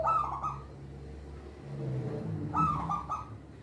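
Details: Local zebra dove song, used as a lure for young birds: two short cooing phrases, a rough, higher start followed by a lower trill, set against a steady low hum and background noise.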